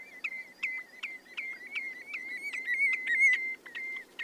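A Common redshank repeats a ringing, whistled yodel about twice a second, each note fluty and mid-high with a slight bounce, over a faint hiss.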